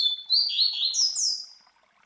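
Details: Coleiro master song in the classic Tui Tui Zel Zel style for tutoring: a steady high whistle, then warbled phrases that lower and rise again, ending in two loud downward-sweeping notes.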